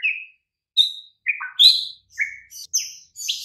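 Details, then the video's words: White-rumped shama master song used to prompt quiet, listless birds to respond: separate clear whistles at varied pitches, a bright high note, then lower falling phrases, then a cluster of very high, thin notes. "Murai Batu BISU & LOYO langsung NYAUT Seketika dengan MASTERAN Ini"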